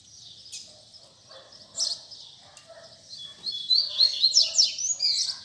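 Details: Double-collared seedeater singing in the tui tui zel zel style: soft high notes at first, then a brighter run of quick rising and falling whistled slurs and buzzy trills near the end, with faint low murmurs beneath.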